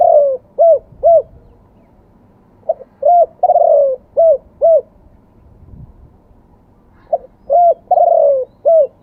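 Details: Repeated live crowing from a spotted dove in the wild-voice, two-kuk style. Mellow cooing phrases, each a long falling croon followed by two clipped notes, come in three bouts with short pauses between them.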